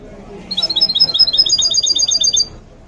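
A goldfinch mule sings a fast, high run of bright, repeated chirping notes.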